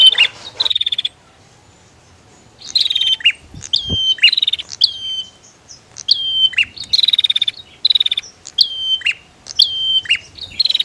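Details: Female and male bar-winged prinias: an opening buzzy trill, a short quiet gap, then a steady run of high descending whistles with low flicks and chattering trills.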